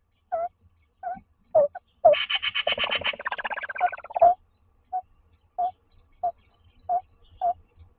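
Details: Tawny owl pair calling at a nest box in Toledo, Castilla-La Mancha, during a daytime courtship exchange. Short soft hoot-like notes repeat about every half second around a central burst of rapid buzzy trilling.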